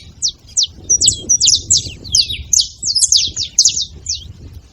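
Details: A flock of saffron finches at a feeding spot. A few spaced, thin, high chirps build into a busier run of overlapping notes over soft low background noise.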